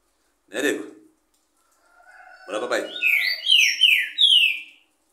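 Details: Green-winged saltator singing after short bursts of human speech: four bright, downward-sliding whistled notes, rising in starting pitch from one to the next, rounded off cleanly.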